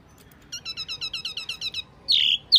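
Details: Lure call of the Wambi mini: about ten quick, evenly spaced high whistled notes, then two louder, harsher chirps.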